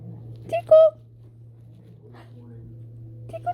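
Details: A pet male monk (quaker) parakeet indoors squeaks out a quick, high-pitched "hi" in mimicked speech over a steady indoor hum.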